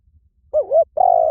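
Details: Spotted dove giving a wavering, dipping coo followed closely by the start of a long, steady coo.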